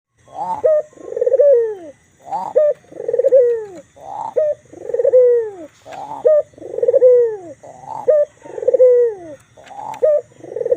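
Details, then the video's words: White Barbary dove with a black collar cooing vigorously: repeated rolling coos, each a low purring note sliding down then a short clipped ending, about every 1.5 seconds, steady and loud with little background. "Suara burung puter putih kalung hitam manggung gacor"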